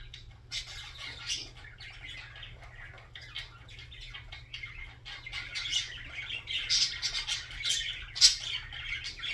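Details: Budgerigar chattering softly at first, the warble thickening into busier scratchy trills and a few sharp clicks and squeaks toward the end, over a low constant hum.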